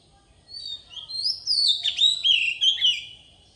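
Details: Oriental magpie-robin singing forest-style as a lure for training young birds: a soft start builds into a sweet, varied whistled phrase with rising and falling slurs and short warbled notes.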